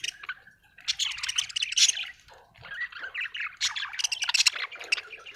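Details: Budgerigar from Australia chirping in long runs of dense, buzzy warbling and quick twittering notes, two busy phrases split by a short pause.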